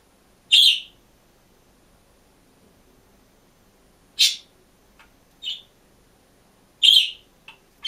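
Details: Green budgerigar alone in its cage gives loud high chirps separated by long pauses, with a few softer, shorter chirps in between.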